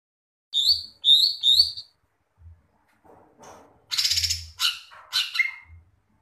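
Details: Greater green leafbird singing vigorously: three quick bright high chirps, then harsh buzzy bursts and sharp descending notes, with soft low thumps underneath.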